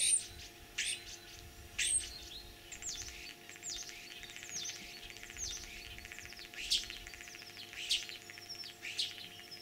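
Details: Spring song of a common starling imitating other birds, recorded 9 April 2023 in Kalyazin district, Tver region, Russia; a busy jumble of sharp clicks, high downslurred whistles and brief chirps, delivered rapidly and irregularly.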